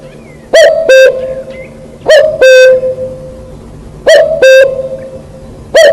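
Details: Wild cuckoo singing: a loud, mellow two-note call, a higher note falling to a lower one, repeated in pairs about every two seconds, with no other clear sounds.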